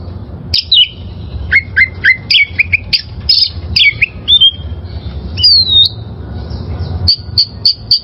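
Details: Oriental magpie-robin in the wild, recorded as training song for caged birds: varied whistles and chattering notes, a long descending slur, then evenly repeated high chips at the end.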